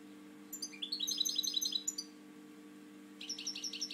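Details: A captive European goldfinch used for breeding sings a tinkling run of rapid repeated high notes, pauses about a second, then adds a buzzier repeated phrase; low steady hum underneath.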